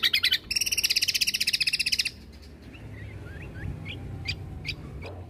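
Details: Cucak kombo tutor recording for caged birds, late 2022, with rapid burst-like fills: a dense, buzzy, rattling trill of fast repeated notes for about two seconds, followed by soft scattered rising chirps.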